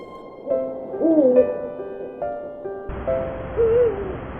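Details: Captive breeding pair of Eurasian eagle-owls at a bird rescue centre in cold midwinter, calling as darkness falls while their chicks grow: the male calls with longing and the female answers, short wavering bent notes before nightly mating, over background music.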